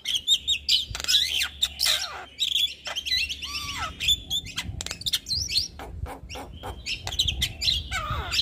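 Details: Javan myna, white-eyed form, singing as a lure to prompt reluctant caged mynas to sing: busy chattering song of sharp chirps, rising and falling whistles and harsh squeaky notes, delivered rapidly and almost without pause.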